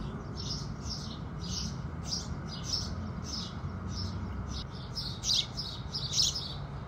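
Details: Morning chorus of house sparrows with the rising sun, a busy run of short, high chirps, loosely repeated about once a second, growing louder and denser near the end, with a low steady hum underneath.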